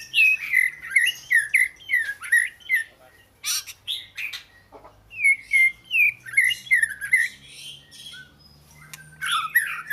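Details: Oriental magpie-robin singing: bursts of clear whistled notes that swoop down and up, repeated rapidly in two phrases separated by a short pause, with brief higher chips between them and a faint low hum beneath.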